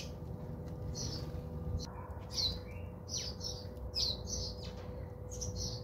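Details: A string of brisk, uneven chirps from house sparrows bathing at a home in South Africa, with brief fluttering between notes and a steady low hum.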